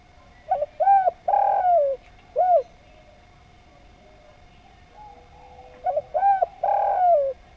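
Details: Lively spotted dove singing melodious arched coos in quick clusters of two or three notes, the last one drawn out and falling. After a silent gap the pattern repeats, with a faint steady hum throughout.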